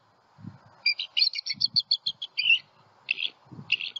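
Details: Very vocal wild bald eagles at a Southwest Florida nest, on high alert after an owl knocked the female onto the nest. A loud, fast, high chattering series runs, then pauses, then two more bursts, with soft low thumps beneath.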